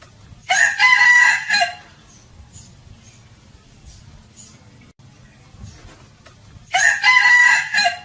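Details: A rooster (chicken) crows twice, loud harsh cock-a-doodle-doo bursts separated by several seconds of quiet.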